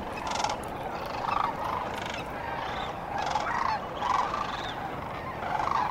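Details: Sandhill cranes at dawn along the Cosumnes River: rolling, rattling bugles in bursts of about half a second, repeated every second or so from several birds over a steady background hiss.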